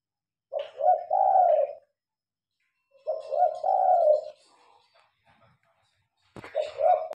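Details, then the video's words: Phone recording of a spotted dove calling at night when the lights are on; three cooing phrases roughly every two and a half seconds, each a short note then a long rolling coo, with a brief clatter near the end. "Terkukur manggung malam hari"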